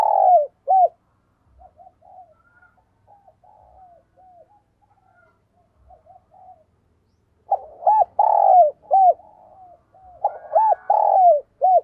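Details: Spotted dove decoy giving rapid gù coos and crowing calls, a voice used to lure wild doves: soft, low cooing notes in short groups, quiet at first, then louder, repeated hollow coo phrases.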